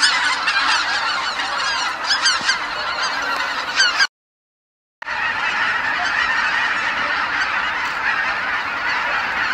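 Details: Dense chorus of geese, tens of thousands returning together to Kabukuri-numa marsh at dusk after feeding, overlapping honks layered thickly; a sudden second of silence breaks the flow midway before the massed calling resumes.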